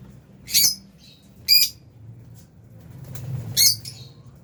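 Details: Three loud, short, high squawks spaced about a second apart come from aviary lovebirds of albino and Fisher's types, with faint rustling and low background noise.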